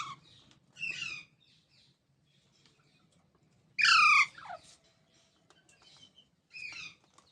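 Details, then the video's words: Baby parrots give a few scattered harsh squawks with descending harmonic sweeps. The loudest comes near the middle, and quieter ones fall before and after it, separated by long pauses with a faint low indoor hum. "Baby Parrots Sounds"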